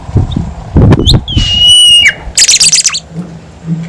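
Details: Horsfield's babbler, a prolific singer used as a lure to prompt reluctant babblers to sing: a long, steady, high whistle followed by a burst of buzzy rasping notes, with low thumping knocks underneath.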